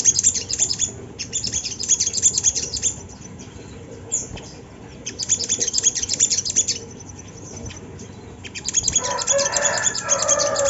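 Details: Sunda laughingthrush singing as bait to prompt birds in training to sing: repeated bursts of quick, high, piercing chirps with short pauses. A broad, lower, rustling sound enters near the end.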